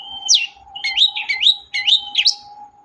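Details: Long-tailed shrike song used to coax a quiet shrike to sing: a high downward swoop, then quick warbled phrases of rising and falling whistled notes, over a faint steady hum.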